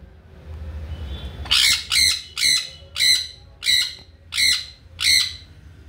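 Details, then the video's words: A sun conure that screams all day lets out seven harsh, metallic squawks in a steady series, roughly one every half second, over a quiet background. "sunconure sound.."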